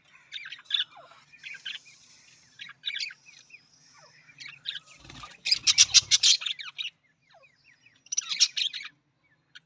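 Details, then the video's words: Australian parrot, the budgie, chattering in scattered squeaky notes and thin whistled glides, broken by a loud buzzy rattling burst midway and another toward the end. "Australian parrot voice Budgies parrot voice"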